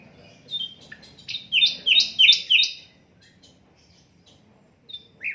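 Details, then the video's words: Unedited song of an Asian brown flycatcher, meant to teach other songbirds: a fast series of paired falling high chirps lasting about two seconds, followed by near silence and a final short slurred note. "Sikatan londo durasi 15 menit, Reall No editan, cocok buat masteran semua burung"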